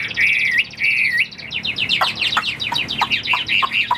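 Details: Caged Chinese hwamei, a Tam Hoàng Bóng Bộ bird about 85% tame and not yet in peak condition, sings loud wavy whistled phrases that rise and dip, then breaks into a rapid run of sharp, varied notes.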